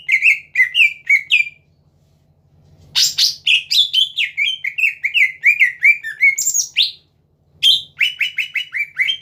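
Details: Greater green leafbird in full song, played to provoke rival leafbirds into singing: rapid bursts of sharp, slurred whistles and chirps, many dropping in pitch, in two long phrases split by brief pauses, over a faint low hum.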